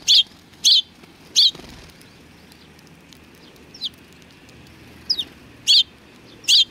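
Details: Sparrows greeting a visitor at a Tenmangu shrine, 3 July 2020: loud single chirps spaced about half a second to several seconds apart, with quieter downslurred notes in the gaps.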